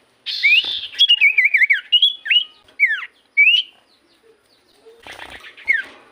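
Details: Common iora singing for a lure: a buzzy opening, a warbling wavering whistle, separate slurred notes dropping and rising, a short silence, then a rougher burst with one falling whistle.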